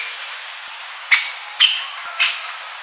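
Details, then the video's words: Middle spotted woodpecker (Leiopicus medius) in central Serbia giving three sharp, harsh notes about half a second apart, over a steady background hiss. "Woodpecker Sounds"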